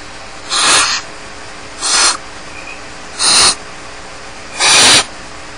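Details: Barn owl chicks alone in the nest at Starr Ranch, giving four harsh, breathy hissing bursts, each under half a second, spaced about a second apart over a quiet background.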